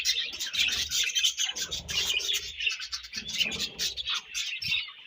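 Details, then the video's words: A group of budgerigars chirping while feeding and passing food to each other. Dense, loud, fast twittering and scratchy warbles flow without pause, with faint low bumps underneath. "Búdǵíéś Fúń & Ćhíŕṕíńǵ śőúńdś"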